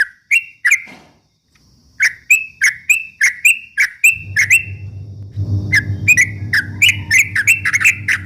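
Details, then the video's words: Yellow-vented bulbul giving fast 'ropel' song used as a morning-to-night lure for rival birds; crisp chirps in quick series, a short pause, then more notes over a rising low hum. "kicau suara trucuk ropel memancing emosi lawan"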